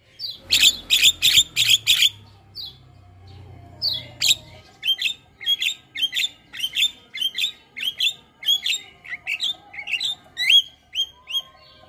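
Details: Starling song for training birds and prompting them to sing: a burst of rapid harsh chattering notes over a low hum, followed by a long series of short whistled downslurred notes repeated at a steady, lively pace.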